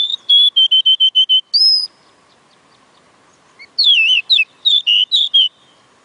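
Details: Oriental magpie-robin delivering a fast series of repeated clear whistled notes, ending on a higher one, then after a pause a rich, twisting jumble of swooping whistles with quick rises and falls.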